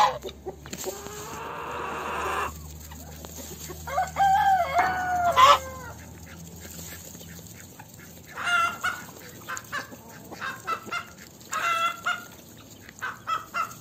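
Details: Chickens in a farm yard: a long drawn cackle, then groups of short clucks and squawks, over hiss and some low rumble.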